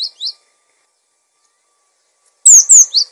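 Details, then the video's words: Cinereous tit in song for training and prompting other birds: two brief high upslurred chirps, a long silence, then a phrase of high down-slurred whistles ending in a lower chirp. "Gelatik Batu Gacor! Untuk masteran dan pancingan Burung"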